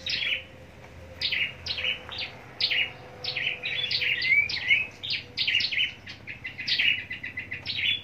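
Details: Caged scarlet-backed flowerpecker kept for singing contests in Long Thành, southern Vietnam; thin, high sharp chips and short downslurred ticks in quick bursts, steady low hum beneath.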